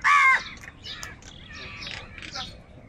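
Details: A crow among a big flock fighting over food opens with one loud, flat, harsh caw, then many quieter overlapping calls and chatter from other birds follow.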